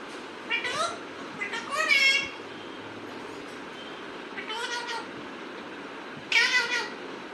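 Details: Pet parrot giving several harsh, meow-like wavering calls, some in quick pairs, spaced by gaps of a second or more over steady background hiss.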